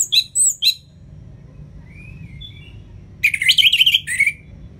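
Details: Orange-headed thrush song meant to prompt lazy caged birds: a few sharp whistled notes, soft faint whistles in a lull, then a loud rapid trill of mixed chattering notes.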